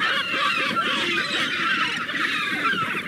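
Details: A crowded chorus of seagulls, many overlapping squealing and mewing cries blended into a continuous, unbroken wash with no pauses, over a soft low murmur.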